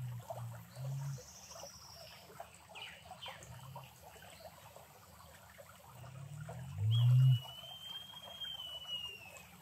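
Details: Male Great Curassow in Costa Rica giving deep, low booming hums, a short one near the start and a louder, longer one later. A thin, high, slowly falling whistle from another bird and a steady rushing background are also heard.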